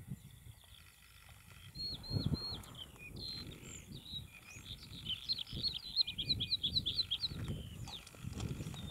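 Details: Bluethroat singing in June 2021: a varied phrase of thin whistled notes that builds into a rapid trill of repeated bright notes, with low rumbling noise throughout.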